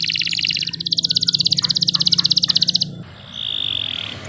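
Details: Canary song: a fast buzzy trill of high repeated notes lasting about three seconds over a low hum, followed by a steady high whistled note.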